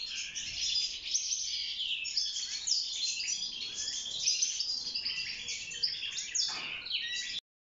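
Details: European goldfinch kept in a cage, singing to mate and build a nest: a fast, jangling twitter of chirps and thin whistles that flows without a break and then ends abruptly.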